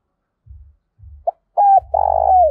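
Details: Cooing of a spotted dove kept as a decoy to stir up wild doves: low rumbling thumps, then a short note and a level coo, and a long buzzy coo sliding down, over a steady low hum.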